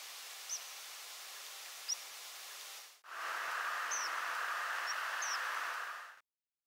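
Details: Tree Pipit's rare, often overlooked secondary nocturnal flight call: five brief, thin, high 'tsip' notes, each a quick rising flick ending in a slight hook, irregularly spaced over steady hiss; a louder rushing noise fills the second half.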